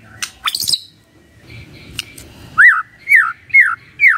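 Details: Morning magpie-robin phrases to spur a quiet bird into answering: scratchy high notes, then four clear arched whistles spaced about half a second apart.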